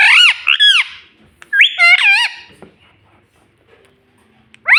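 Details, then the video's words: Talking pet ringneck parrot in a small room, giving loud bending voice-like squawks in two quick pairs, a wavering speech-like phrase, quiet pause, then one more sharp upswept note. "Talking Parrot Mummy video"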